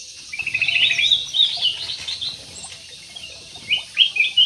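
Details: Large budgerigars in an aviary chattering in quick, uneven bursts of high chirps and warbled twitters, clustered in the first second and again near the end.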